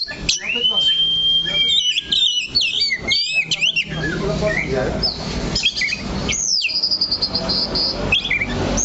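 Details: Oriental magpie-robin in a cage staying put on one perch, opening with a long level whistle and rapid chattering phrases, then quieter with broadband background noise and a single rising slurred note later.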